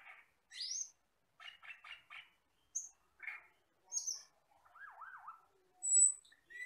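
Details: Asian glossy starling, a wild forest bird, in a tutoring recording: varied song of short chirps, a quick burst of four buzzy notes, high thin whistles and a wavering looped whistle, with pauses between phrases.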